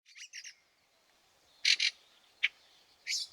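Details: Fieldfare in snow at Liepāja, Latvia, in March 2023: scattered short harsh chattering calls in separate bursts, some faint and some louder, with quiet pauses between.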